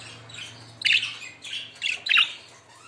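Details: Budgerigars calling: three loud, scratchy chirps in close bursts near the middle and end, each harsh and slightly rising, over a faint steady hum.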